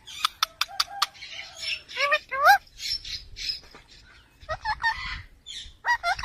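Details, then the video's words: A green talking parrot, said to speak Urdu, talks in short, speech-like phrases: bent, warbling vowel sounds mixed with breathy hisses, with several sharp clicks at the start. "So cute talking parrot"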